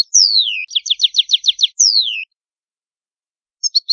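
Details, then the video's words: Italian goldfinch singing a long down-slurred whistle, a rapid series of about seven descending chirps, another falling whistle, then, after a pause, a brief trio of tinkling notes. "Canto Ottimo Bello del Italiano Cardellino"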